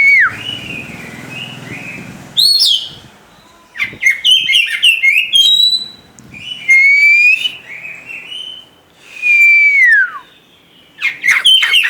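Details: White-rumped shama kept as a cage bird, singing clear downslurred whistles, sharp high chips and bright rising sweeps in separate loud bursts, with short pauses between phrases and a low background hum at the opening.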